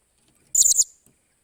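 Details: Blue-crowned hanging parrot trained as a decoy bird, 28 July 2021: a single shrill, slightly stuttering high note of about a quarter second, broken into three quick pulses.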